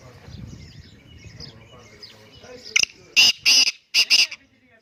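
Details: Black francolin giving its harsh call: a sharp click, then loud rasping syllables grouped as a pair and another pair, after a few seconds of soft murmuring background noise.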